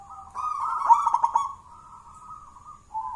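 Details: Zebra dove of local Mojopahit origin, a Java contest champion reared from a wild chick, delivers a pulsing run of rolled notes that settles into a long level coo, ending on a lower tone.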